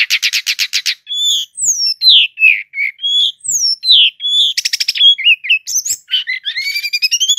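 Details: Brown-chested jungle flycatcher singing non-stop in 'ngeroll' style, loud and dense. Rapid buzzy stacked trills open, then varied swooping whistled phrases, another buzzy burst, and a closing run of rising notes.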